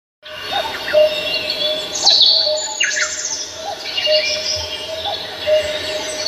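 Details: Birds singing on Namsan Mountain in Seoul: several high, thin chirps and quick downward-sweeping whistles overlap, over a softer, lower note that repeats roughly once a second throughout.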